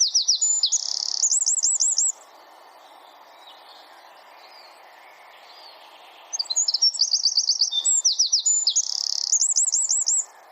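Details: Wren producing rapid 'bren tembakan' bursts for songbird training: two seconds of high looping trills and whistles, a quiet gap of about four seconds with soft hiss, then a four-second renewed burst of dense looping notes.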